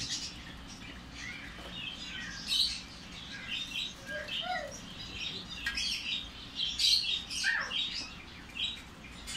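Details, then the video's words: Lovebird chick begging while being hand-fed: bursts of high, harsh, squeaky chirps coming in irregular clusters, with a few lower squeaks and soft handling noise. "লাভ বার্ড বেবিকে হ্যান্ড ফিডিং করানোর সময়"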